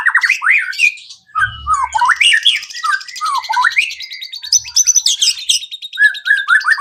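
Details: White-rumped shama singing as a prompt for other birds to sing, mixing fast up-and-down whistled notes, buzzy high rattles and a series of short rising slurs.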